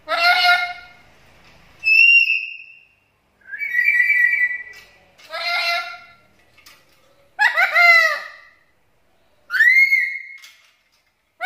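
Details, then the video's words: Black-capped lory lure recording: a rapid mix of varied harsh squawks, nasal shrieks and whistled notes, six bursts in about eleven seconds, some calls rising and others falling, with faint background noise. "PANCINGAN DAN MASTERAN BURUNG NURI KEPALA HITAM GACOR"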